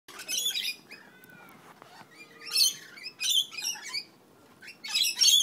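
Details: Rainbow lorikeets fighting in a back yard on the Central Coast of New South Wales: short bursts of harsh, grating screeches separated by quiet gaps of a second or more, with faint thin whistles between them.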